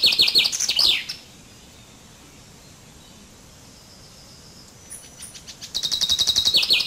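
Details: Common chaffinch giving a quick descending trill ending in a downward flourish. A long pause with soft background hiss and a few faint high notes follows, then a new fast series of repeated bright notes begins.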